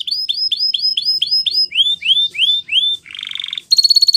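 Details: A Spanish Timbrado canary sings looping upward-curving whistled notes in quick succession, then shifts to a soft buzzy rattle and finishes with a bright, fast, ringing roll.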